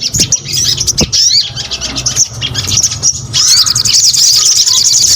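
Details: High, scratchy twittering song of a crescent-chested babbler, uneven bursts of rapid notes that swell into a denser, continuous chatter in the last two seconds.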